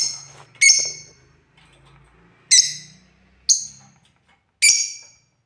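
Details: Playing African lovebirds give four sharp harsh chirps about a second apart over a faint low humming background and soft rustling.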